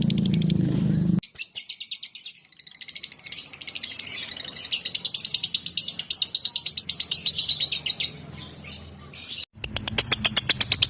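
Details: Lovebird training song for other birds: after a brief low rumble, a fast, buzzy chatter of sharp high pulses runs for several seconds, drops out briefly, then resumes loudly.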